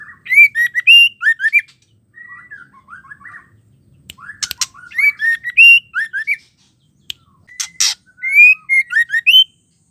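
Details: Female white-rumped shama song meant to make males sing: repeated bursts of loud, rising whistled notes with rich overtones, broken by softer warbles and a few sharp clicks, phrases returning every couple of seconds.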